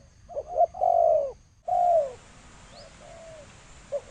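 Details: Spotted dove cooing in the thổ sấm style, 2020: quick short coos, then long falling coos, with softer trailing notes; a steady hiss enters partway through.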